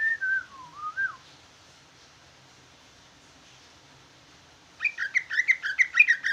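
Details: Jumbo greater green leafbird singing trucukan-style: a short wavering whistle, a long pause, then a burst of quick buzzy chattering notes.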